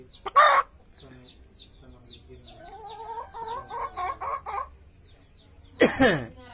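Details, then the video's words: Common hill myna (beo negaro) imitating a chicken: a loud harsh burst, then a run of clucking, wavering notes rising and falling in pitch over about two seconds, ending with another loud harsh squawk. "Burung Beo negaro bisa niru suara ayam"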